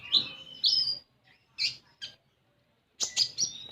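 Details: Common iora, lure sound for a young konin: a few loud high slurred chirps, a quiet gap, then a quick trio of bright notes ending in a level whistle.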